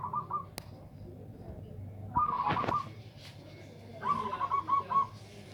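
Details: Local zebra dove with a big, loud voice meant to outdo rivals: two bursts of rapid, trilled cooing notes, the second broken into stuttering pulses, with a sharp click and other background calls and voices around it.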